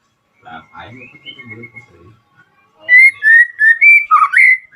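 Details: White-rumped shama song played to make other shamas respond and sing; after a quiet stretch of faint murmuring, a run of loud clear whistled notes repeats rapidly, ending in a slurred falling-then-rising phrase.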